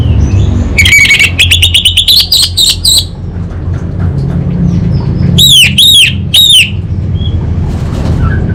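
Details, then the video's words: Orange-headed thrush (anis bata) singing gacor in 'kabel konslet' style: a rapid rattling trill, then a pause and three loud arched whistled notes, over constant low background rumble. "ANIS BATA Berkicau Gacor"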